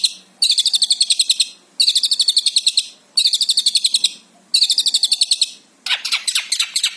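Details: Long-tailed shrike of the Javan type singing energetically, four quick bursts of bright, evenly spaced high chirps, then a busier, varied phrase of sweeping notes.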